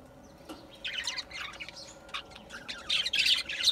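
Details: Budgerigar warbling that builds from sparse scratchy chirps into dense, rapid buzzy chatter, growing louder over the last second against a faint steady hum.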